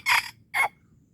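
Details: Red junglefowl from Aceh's Darul Kamal area, a wild bird being lured, giving two harsh, buzzy crow syllables a half-second apart, then quiet with a faint low rumble.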